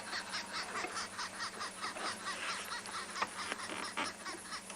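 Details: Arrow-marked babblers calling all together on an overcast, gloomy afternoon safari drive, 17 August 2020, at the start of spring. Harsh, rasping overlapping chatters in a rapid uneven cackle over a steady engine hum; first thought possibly a green wood hoopoe.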